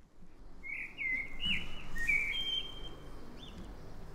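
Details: Common blackbird (Turdus merula) singing in the morning: a clear, fluting phrase of warbled notes sliding between mid and high pitch, ending with a brief higher squeaky twitter, over a low steady background rumble.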